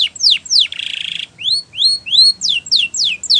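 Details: Spanish Timbrado canary singing a training phrase: two falling whistled sweeps, a buzzy rolled trill, three upward-curving whistled slurs, then quick downward sweeps repeated in a fast, even rhythm.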